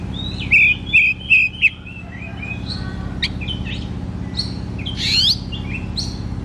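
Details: Oriental magpie-robin (kacer) singing in the loud 'ngeplong' style, used as therapy to prompt lazy or untrained birds to sing; a run of four bright whistled phrases, then scattered sharp chips and a rising buzzy note over low hum.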